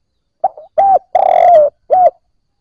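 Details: Spotted dove coo aimed at newly caught birds: one complete phrase, a soft wavering opening note, a hooked coo, a long mellow coo falling in pitch, and a short closing coo. Quiet surroundings.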